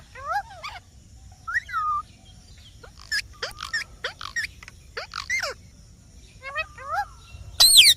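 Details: Green parrot making soft, sparse calls: short down-slurred whistles and buzzy chirps spaced out over a quiet background, ending in one louder harsh squawk.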